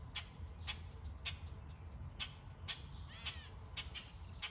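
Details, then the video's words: Birds chirping among trees in summer; short, sharp chirps repeat roughly every half second, with one longer, buzzy rasping note midway, above a low steady hum. "Birds chirping away"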